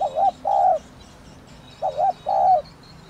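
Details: Thổ đồng style luring call of a spotted dove: two mellow phrases, each a brief dipping note and a longer steady hoot, about one and a half seconds apart.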